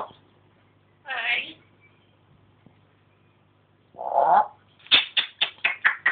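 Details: African grey parrot kept as a pet, talking and imitating sounds at home; a hoarse drawn-out call, a pause, a lower mellow call, then a rapid run of about six sharp clicky notes.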